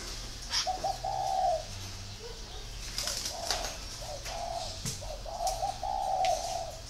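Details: Low hooting coos from a spotted dove, with soft short notes leading into longer drawn-out ones, repeated in phrases, plus a few clicks and faint background noise.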